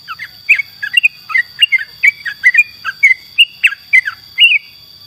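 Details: Yellow-vented bulbul in lively song: a quick run of short bubbly, gurgling notes, several per second, rising and falling, over a steady high electronic whine.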